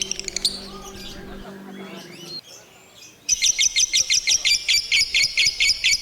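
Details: Lovebird singing in the ngekek style: a short burst of high chirps, a quieter pause with faint squeaks, then a long even run of rapid, piercing chirp notes.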